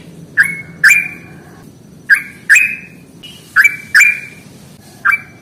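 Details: Sooty-headed bulbul in a combative singing style, used as a lure for birds reluctant to sing: crisp, ringing notes in quick pairs, each dropping in pitch, repeated after short gaps.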